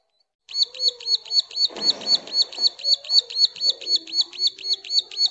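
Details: Female bar-winged prinia calling for a mate: a steady series of sharp, high chirps, about four per second, with a soft low rustle underneath.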